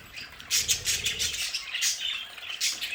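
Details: Pet budgies in an indoor play area: after a quiet start, scratchy squawks and quick chirps burst out and continue in overlapping, irregular chatter.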